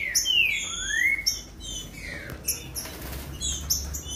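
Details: Green-winged saltator song meant to stimulate captive birds. Rich slurred whistles with overtones glide up and down, followed by clipped high notes repeated rapidly over a faint background hiss.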